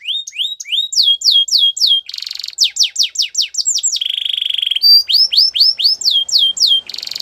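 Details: Canary song, offered as training material for young singers: fast runs of bright, repeated whistled notes sweeping up and down, broken by a buzzy trill and a steady, even rattle, phrases switching every second or two.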